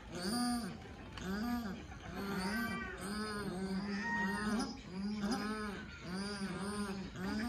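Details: Repeated honking calls of a paradise shelduck, about one per second, each a strained, arching nasal note with rich overtones, steady and insistent throughout.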